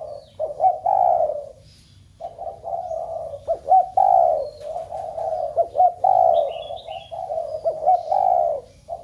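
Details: Spotted dove cooing to stir a flock of kept doves at home into cooing: low, mellow cooing phrases repeated with short pauses, each a run of soft rolling notes, with a few faint higher chirps in the background.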